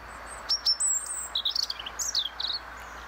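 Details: European robin (Erithacus rubecula), song.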